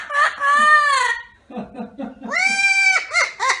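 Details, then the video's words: Parrot laughing like a super villain: a long drawn, harmonic cry, then a quick run of choppy low 'ha-ha-ha' pulses, then another rising drawn cry ending in short looping hoots, recorded indoors. "this parrot laughs like a super villain"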